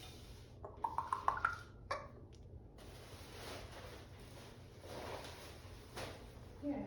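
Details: Quiet indoor room with a few soft pinging clicks, faint hiss and rustling, and no animal voice.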